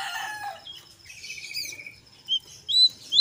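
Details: Brown jongkangan in lively ngeriwik song mixed with ngeplong, played as a lure to get other jongkangan singing; varied chatter, a steady buzzy trill, then sharp high whistled notes near the end.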